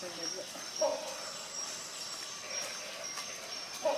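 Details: Rhinoceros hornbill uttering two short honking notes, one early and one at the very end, amid a steady high insect chorus.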